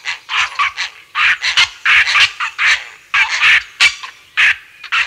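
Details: Grey heron giving aggressive, harsh, rasping croaks in quick irregular bursts, about two or three each second, recorded close up, with house sparrows and a starling in the distance; Kent.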